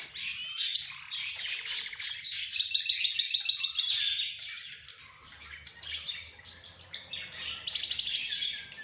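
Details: Caged budgerigars, zebra finches, roz birds and a canary calling together in a busy mix of high twittering, fast rattling trills and sharp chirps, dipping briefly quieter midway before the chatter builds again.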